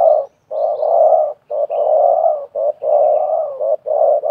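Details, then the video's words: Wild spotted dove and decoy dove in a calling duel during bird trapping. Loud continuous low cooing, alternating short notes and long level coos with barely any pause. "TERKUKUR LIAR DAN PIKAT BERADU/BERLAGA HEBAT"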